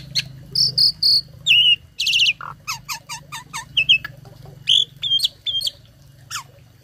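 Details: Tame starling with a varied, filled-in song used as a tutor for other birds: squawky bursts, buzzy notes and clipped whistles tumble together in an irregular, lively sequence, with a low hum beneath.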